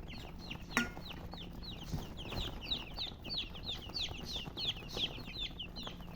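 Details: Baby chickens chirping: many high, downward-sliding peeps overlap in a busy, steady chatter, with one louder sharp note near the start and a low hum beneath.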